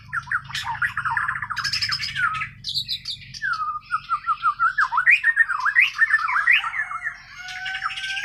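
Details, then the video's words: White-rumped shama from Borneo (Kalimantan), natural unmastered song: loud, varied stream of chattering trills, high notes and rapid zigzag whistled phrases, repeated in quick bursts. "Kicau Burung Murai Borneo island"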